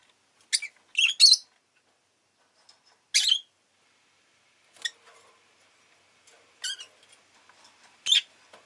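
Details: Pet rosy-faced lovebird producing brief, sharp, scratchy chirps singly and in pairs, spread irregularly with quiet gaps and faint background ticking.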